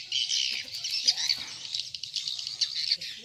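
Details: Swiftlet call used as a farming lure, style 'sp rambut lmb original', Indonesia: a crowded chorus of shrill, rapid chirps and twitters blending into one high, shimmering band.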